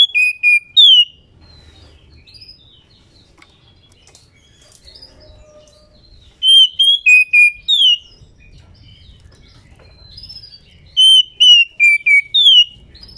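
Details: Calling female White-rumped Shama in breeding condition, used to trigger singing in males. Three phrases of five or six loud, pure whistled notes, dropping in pitch and finished with a downward slur, come roughly every four to five seconds.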